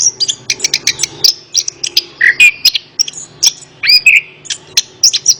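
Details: Orange-headed thrush song, played to prompt a silent bird to answer: dense volley of sharp high chips and clicks mixed with a few slurred whistles, rapid and irregular over a faint low hum.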